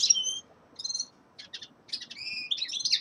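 A common linnet's quick twittering song: high, bright phrases of short trills and twangy whistles, with brief pauses between bursts, over a quiet background.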